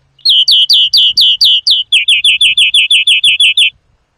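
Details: European greenfinch singing, recorded for trapping and song training: about seventeen clear, downward-sliding chirps in a steady series. The first notes are slower and higher, and the later ones come faster and slightly lower.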